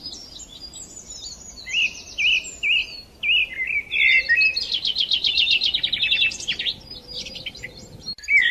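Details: Sparrows chirping on a morning, a string of separate clipped chirps giving way to fast buzzy trills and overlapping twitters from more than one bird.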